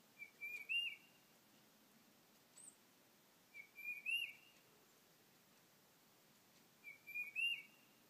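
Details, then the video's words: Tufted titmouse at a feeder, filmed on an iPhone, switching from calling to singing: three evenly spaced whistled phrases, each a few pure notes building to a louder upward-slurred whistle, separated by quiet gaps. "Tufted Titmouse Song"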